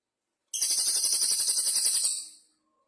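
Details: Cililin (velvet-fronted nuthatch) singing energetically in bursts: a quick, high, rattling trill of evenly spaced sharp notes for about two seconds, dying away smoothly into silence.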